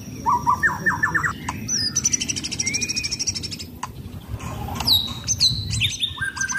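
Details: A contest-ready white-rumped shama, blorok type, kept in a cage and sunbathing, pours out a varied song: quick stuttering whistles, a rapid buzzy trill, then sharp high descending notes.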